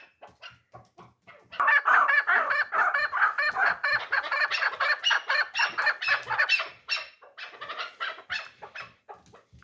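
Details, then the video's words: Three-year-old hunting chukar partridge, described as a 'dulan' chukar, in a loud, excited rattle of fast, dense clucking notes that swells, holds, then fades away. "Кабки дулан"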